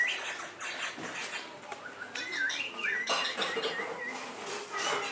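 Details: Talking parrot, known to say "mummy", giving a run of shrill chirps and short rising whistled notes over five seconds, with scratchy high noise throughout.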